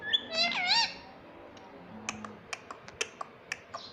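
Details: Pet ringneck parrot that speaks words like mummy and papa; a brief cluster of loud, wavering harmonic syllables at the start, followed by a series of sharp clicks and taps over steady room hiss.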